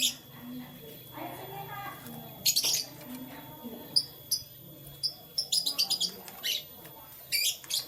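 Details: Canaries heard in the morning: scattered short, high, bright chirps early on, then a quick run of sharp tweets near the end, over a low murmur of background noise.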